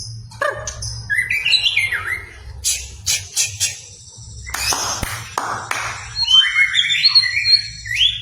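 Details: White-rumped shama lure song meant to provoke a reluctant shama into singing: varied fluting whistles, sliding phrases and sharp clicks and rattles, with a low steady hum underneath.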